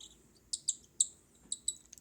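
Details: Baby cockatiels being hand fed give high, raspy begging calls in quick pairs of bursts, repeated about every half second.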